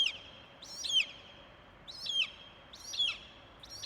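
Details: An eagle calling in a botanical garden gives short, high, chittering notes that fall in pitch, in bursts about once a second, over a steady high insect-like hum.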